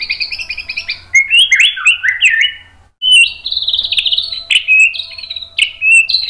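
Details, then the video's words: A white-rumped shama's tutoring and lure song for provoking a response: a jumble of quick slurred whistles, a brief pause, then long ringing buzzy phrases and clear whistled notes. "MASTERAN MURAI BATU biar EMOSI NYAUT jadi GACOR BONGKAR TEMBAKAN ¦ PANCINGAN MURAI"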